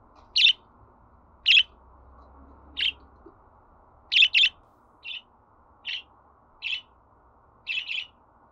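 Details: Budgerigar chirps played to encourage a pet bird to sing: nine brief, bright chirps at uneven gaps, one close pair near the middle, a softer run toward the end, and a quiet hum beneath.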